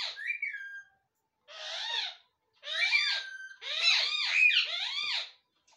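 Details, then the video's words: Rose-ringed parakeet talking in a quiet indoor room: a short whistled note, then three bursts of raspy, high-pitched, speech-like syllables with rising and falling inflections, separated by brief pauses. "ringneck parrot talking"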